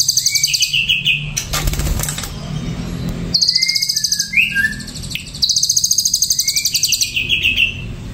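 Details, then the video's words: Ashy drongo in full song: repeated bursts of fast, high, rattling trills mixed with short slurred whistles; a brief noisy thump interrupts early on. "SRIGUNTING ABU"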